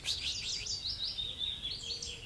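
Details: A willow warbler, a migrant from Africa, sings high in a treetop in June its sweet, liquid descending phrase, a run of soft whistled notes sliding down the scale over about two seconds, over faint outdoor rumble, with distant wood pigeon.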